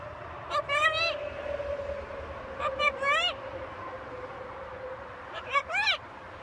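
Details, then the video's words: Pet talking macaw on a home balcony voicing three brief speech-like phrases, each ending in a rising, arched tonal syllable, spaced about two seconds apart over a low steady hum. "Our talking Macaw"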